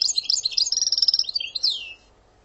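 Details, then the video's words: European goldfinch in Algerian singing style: quick high twittering that settles into an evenly repeated run of bright trilled notes, closing on a falling slurred whistle. "Sortie برررت ڨازرات تيواواطي + passade داوداو كياكيا صاوصاو دجيو canto jilguero argelia"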